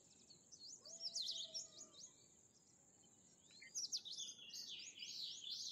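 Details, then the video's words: Bimaculated lark, also called Eastern Calandra Lark; quick bursts of high, chirpy twittered notes in two phrases separated by a pause, with a faint steady high tone and a lower whistle in the background. "Bimaculated Lark (Melanocorypha bimaculata) | Calandra Lark | Eastern Calandra Lark"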